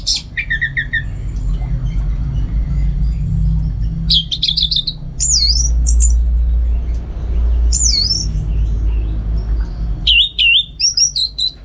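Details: Orange-headed thrush kept at home in North Bali giving separate phrases: a quick descending series, a fast trill, and loud looping slurred whistles, separated by pauses, with heavy low hum.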